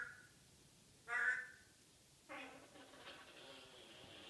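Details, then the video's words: African grey parrot kept as a pet, chattering in the morning: one short bright whistled squawk, then after a pause a longer rough, breathy vocal burst fading out over a low background hum. "Hilarious African Grey Chatterbox"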